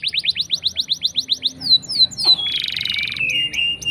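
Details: Canary singing a long rolling song meant to coax silent canaries into singing. A fast run of rising chirps, about ten per second, gives way to sharp falling sweeps, then a sustained buzzy, wavering tone.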